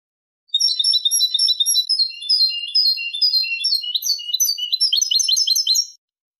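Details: European goldfinch clean-style song, 2023: a long, five-second outpouring of fast, jingling twitters and tinkling chirps, shifting into rapid repeated trilled notes near the end, then silence.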